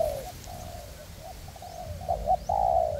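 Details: Spotted dove decoy birds in a forest, used to call in a wild dove for trapping on a windy day. Fast low coos in a run end in a loud, sustained rolling coo, over faint wind.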